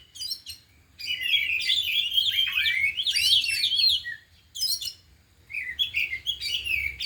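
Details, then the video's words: Four caged oriental magpie-robins (kacer) in afternoon training, all singing and unloading their mimicked isian phrases: dense bursts of whistled, buzzy, rapidly shifting notes in two long phrases separated by short pauses, over a low steady hum. "Latihan Kacer di Sore Hari Biarpun Hanya Burung 4 Tapi Jalan Semua dan Bongkar Isian"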